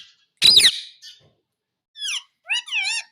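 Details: Captive Indian ringneck parakeet speaking "mummy": a burst of raspy squawk followed by a short gliding syllable and a wavering, warbled two-part utterance.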